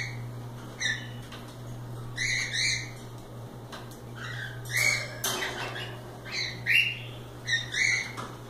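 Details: Several cockatiels flying loose and playing, trading short squawks and chirps in bursts, one broad harsh squawk near five seconds, with a constant low electrical hum.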